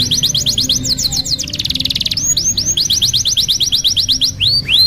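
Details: Canary singing a tutor song for young birds learning their notes: quick repeated rising chirps, a short buzzy trill, then rolling loops of looping whistled notes and upward slurs, bright and unbroken.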